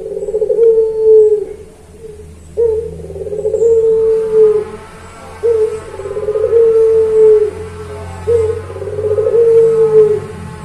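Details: Puter pelung dove singing on a recording meant to train pet birds: a series of low, sustained, slightly wavering coos, each starting with a brief clipped note, repeated roughly every three seconds over a faint background hum.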